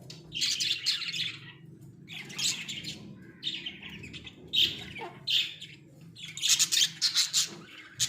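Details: Caged Australian budgies chirp in separate bursts of grating warbled notes, with short squeaky calls between and a fast buzzy flurry toward the end; a low hum runs underneath.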